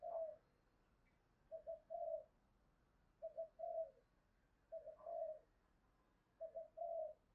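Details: Distant spotted dove giving a 'thúc gù' coo in the 'thổ' style, used as a lure for wild birds. Five soft, low cooing phrases of two or three notes each, repeated about every one and a half seconds over faint background hiss.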